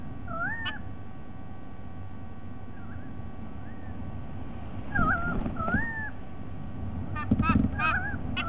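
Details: Calls of a White-bellied sea eagle from 07 12 2020: widely spaced wavering, nasal notes, then a cluster of louder honks, ending in quick, rapid-fire honking bursts, with persistent deep rumble underneath.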